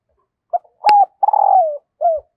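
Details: A female dove calls to excite a male: a brief note, a steady coo, a long rolling note falling in pitch, and a short downslurred coo. A sharp click sounds mid-phrase.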